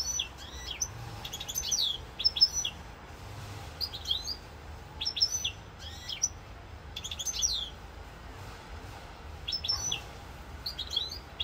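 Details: Goldfinch song recorded in Corsica, 7 November 2022: bright tinkling phrases of fast twitters and sharp high ticks come in bursts about every one to two seconds, separated by short quiet spells.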